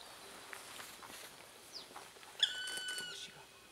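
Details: Black woodpecker in Hokkaido, Japan, giving one clear, drawn-out, slightly falling note with rich overtones late in the recording. Faint rustling comes before it.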